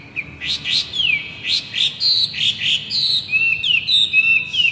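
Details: Masked laughingthrush in full, lively song, kept as a tutor recording for young birds still learning: clear whistled phrases and sliding notes, some rising and some falling, repeated at a quick uneven pace over a quiet background.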